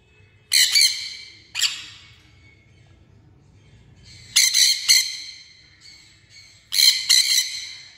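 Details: Harsh, piercing squawks from a sun conure arrive in four bursts, several of them doubled screeches. The bursts are separated by quiet gaps of one to two seconds, with a soft low hum underneath.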